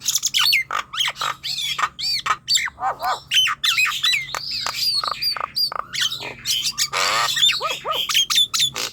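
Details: Nias hill myna singing to draw out young or reluctant mynas: dense stream of high whistles, curved slurs and squawks, with a buzzy wavering stretch near the end.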